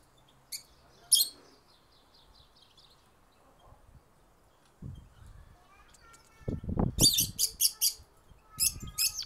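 Goldfinch hybrid singing in short bursts of high, bright twittering and buzzy chips, with a thin tonal phrase between; low knocks and thumps underneath.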